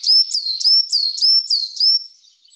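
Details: Coal tit in England gives a high, thin, quick series of slurred two-note phrases, about three each second, falling then rising, with nothing else heard.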